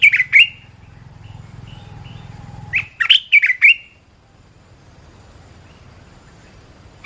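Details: Red-whiskered bulbul song recorded as a training call for cage birds: a brief whistled burst, then a lively phrase of four or five bright, bending notes near the end, with a low hum under the first half.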